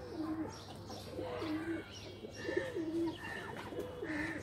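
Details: Pigeons playing in a loft give low, rolling coos, each phrase swelling and dipping, four phrases in about four seconds, with a few higher chirps and a soft background hum.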